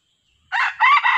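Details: Wild red junglefowl, a yellow-plumaged male that came with a female, lured by a decoy during trapping; a sudden harsh, broken crow with a rough first phrase and a higher drawn-out second part, cut off abruptly, with no other sounds.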